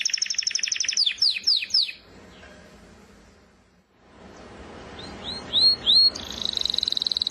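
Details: Canary gives a rapid trill with falling sweeps, falls quiet for about two seconds, then returns with a few looping notes and a fast high trill.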